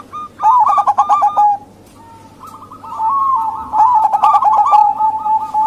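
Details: Female zebra dove of the local type, calling to lure males: quick rattling coo bursts, a short pause, then layered rolling trills from more than one bird overlapping.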